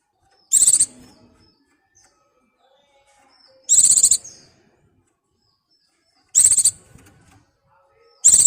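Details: Mountain white-eye (pleci), a bird in breeding condition calling for a mate: four short, very high, buzzy-bright bursts of about half a second each, spaced roughly two to three seconds apart, with near silence between them.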